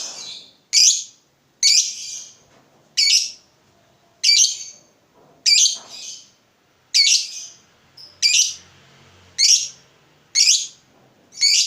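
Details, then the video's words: Lovebird calls used as a lure and tutor for other lovebirds: short, harsh, high squawks repeated about once a second in a steady series, with quiet gaps between each note. "suara burung Lovebird terbaik buat memancing burung Lovebird dan masteran"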